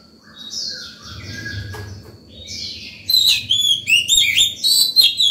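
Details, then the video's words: White-rumped shama in morning song meant to call other birds and teach young birds; soft distant warbles give way to a loud run of quick, varied whistled notes, with low background hum. "Chòe than vào lửa hót sổng buổi sáng, gọi bổi, tập chim non hay!"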